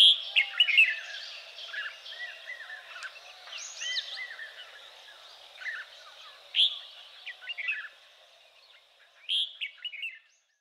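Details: Red-whiskered bulbuls, escaped cage birds living in a flock in Kaohsiung, Taiwan, on 30 May 2015, give bright, liquid chirps and short warbled phrases in quick bursts, several birds overlapping over a steady background hiss.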